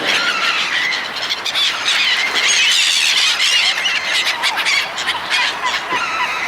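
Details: Flock of gulls gathered to be fed by people, giving dense overlapping high squealing calls that run continuously with no pauses, the many voices blending into a shrill wash.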